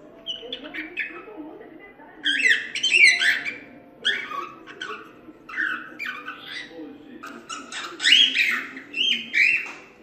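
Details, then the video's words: Warbling cockatiel song used to train chicks, a string of chattering chirps and squeaky rising notes in irregular bursts, with a faint low hum in the room. "CALOPSITA CANTO TREINAMENTO PARA ENSINAR FILHOTES - CANTO DO PÁSSARO CALOPSITA ENSINANDO FILHOTES"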